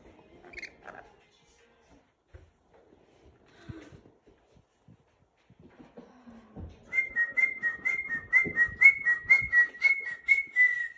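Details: Rainbow lorikeet in training: near-quiet room with scattered soft knocks for several seconds, then a run of steady whistled notes, each stepping slightly downward, mixed with rapid harsh chattering pulses about four per second.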